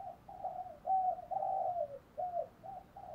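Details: Morning cooing of a spotted dove kept as a decoy to call wild doves: quiet, low, slurred coo notes strung together with short gaps, over a background of soft hiss and low rumble.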